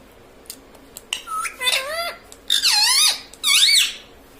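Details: Pet green ring-necked parrot kept indoors, taught to say words such as mummy, papa and mitthu; three loud, high, harmonic-rich squeaky utterances with rising and falling glides, separated by short pauses in a quiet small room.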